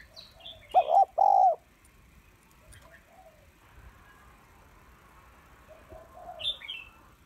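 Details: A female spotted dove calls to stir males with two loud low coos near the start, then quiet with occasional soft chirps and high notes from other birds.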